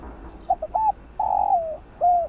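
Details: Spotted dove giving its fast, field-style cooing, played to stimulate and train decoy birds: two short soft coos and a hooked note, then a long drawn-out coo sliding down, ending in a curved closing coo. Quiet background.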